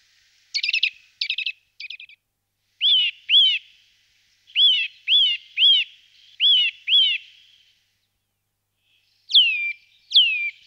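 A Eurasian nuthatch gives three quick buzzy notes, then loud, clear, arched whistles, mostly in pairs, ending with two sharp downslurred calls; nothing else is heard.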